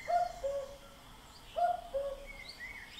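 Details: Common cuckoo giving its familiar two-note call, a higher note falling to a lower one, repeated twice in quick succession, with soft background birdsong.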